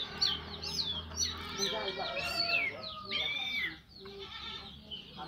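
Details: Orange-headed thrush singing continuously in the ngeplong style in the morning, used to stimulate other thrushes to sing; rich, varied whistled phrases sliding up and down, rapid tumbling notes, then a brief quieter pause and a low hum underneath.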